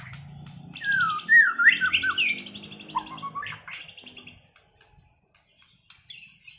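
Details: White-rumped shama after moulting, set in a duel to restore performance; loud swooping whistled phrases and buzzy chatter for two seconds, then softer scattered notes and near silence.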